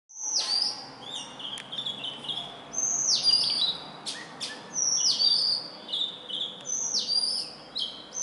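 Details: An Indian robin, a small black-and-white bird living near human homes that sings every morning and evening from a branch or wire, gives short, bright whistled phrases, each opening with a high note that drops into a quick warble, repeated every couple of seconds.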